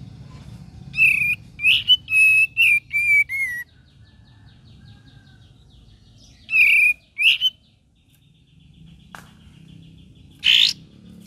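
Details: Cream-vented bulbul: a quick run of six whistled, upslurred notes, a pause, then two more whistles and later a lone harsh burst, over low background hum.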